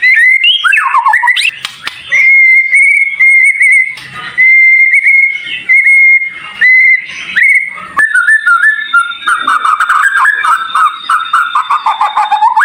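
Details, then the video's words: Tutor song of white-rumped shama with sharp, high fills: several long, steady pure whistles separated by short pauses, then a fast, wavering, trilled run at lower pitch. "Masteran Murai Batu cepat Buka Paruh | Suara Full Variasi Paling Dicari"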